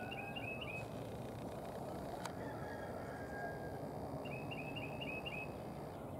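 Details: Red-bellied woodpeckers, a pair with the female just appearing, recorded on March 13, 2023. Two rattling runs of short, evenly spaced chirps, about five to six notes each, at the start and near the end, with a single sharp tap and steady background hum.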